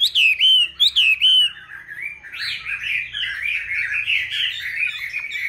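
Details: Captive Chinese hwamei raised from a wild-caught juvenile, five years on, opens with two loud, clear downslurred whistles, then runs into a busy, rambling warble of quick twisting notes.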